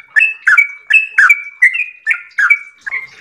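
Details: Yellow-vented bulbul giving a short stretch of its long 'ropel' song: about seven bubbly, slurred notes with level whistled tails, trailing off at the end.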